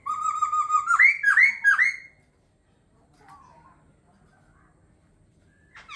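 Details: Laughingthrush delivering a rapid run of clear whistles that climb and then tumble in looping downslurs for two seconds, followed by near silence and a faint distant note.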